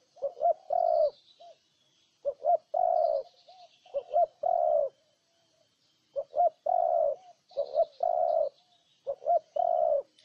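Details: Low, mellow cooing of a spotted dove in Ninh Thuận, Vietnam. Brief double notes lead into a sustained coo, and the phrase returns about four times. Faint high chirps of other birds sound in the background.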